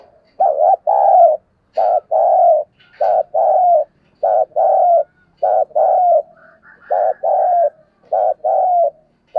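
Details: Caged decoy spotted dove calling to lure wild doves, a Vietnamese decoy cooing voice: low mellow two-part coos, a short note then a longer slightly falling one, pairs repeated steadily about every second.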